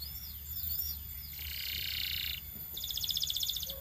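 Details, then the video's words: Belgian canary, fairly faint, giving a few arched whistles, then a buzzy sustained roll and a quick, even, high trill of clipped notes. "Belgian Canary Singing"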